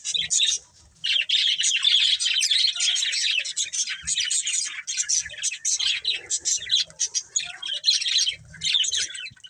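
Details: Several budgies chirp almost without a break: a busy, scratchy, high warbling chatter made of rapid overlapping notes, easing briefly only near the start and the end.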